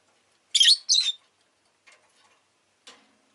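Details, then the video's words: Two loud, harsh chirps in quick succession from a pet rosy-faced lovebird, followed by faint clicking and a soft tick. "Lovebird Chirping Sounds"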